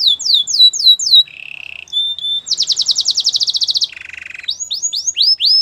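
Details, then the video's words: White canary's training song moves through tours: downslurred whistles, a low buzzy roll, a brief pure note, a rapid high pulsed trill, another low roll, and rising looped whistles. "Canary training song | White canary singing with beautiful melodies"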